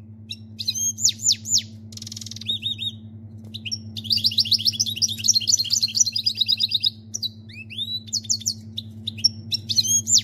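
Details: Canary song imitating a goldfinch, a lively stream of high twittering notes, rapid trills and downslurred whistles broken by brief pauses, with a steady low mechanical hum underneath throughout.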